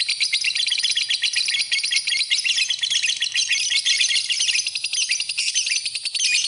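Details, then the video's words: Lovebird chatter meant as masteran tutor song: steady, high, grating twitter of quick clipped notes, continuous and busy from start to end. "Kicauan Burung, Love Bird, Masteran Love Bird"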